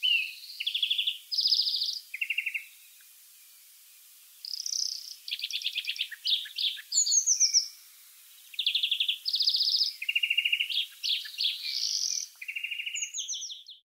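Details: Long continuous song of a wild European greenfinch: varied trills, twitters and chattering phrases alternating in pitch, following one another almost without pause across the whole stretch, faint hiss behind.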